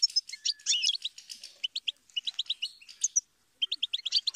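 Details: A goldfinch's song: rapid high twittering phrases of clipped chirps, a brief pause, then another string of quick tinkling notes.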